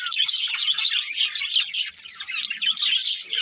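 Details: Loud, close budgerigar chatter with rapid overlapping high chirps and warbles, briefly dipping in the middle before the busy twittering returns.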